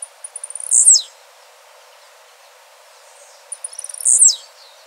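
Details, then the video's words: Blue-black grassquit singing twice in nature, about three seconds apart. Each phrase starts as quickening high ticks and ends in a loud, shrill buzzy note that drops sharply in pitch. "Tiziu azulado dando um verdadeiro show na natureza de canto e beleza"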